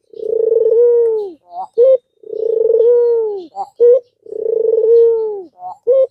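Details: Three cycles from an albino Barbary dove, a call meant to spur lazy or learning doves to call. A long, purring low coo slides slightly downward, then two brief sharper notes, about every two seconds.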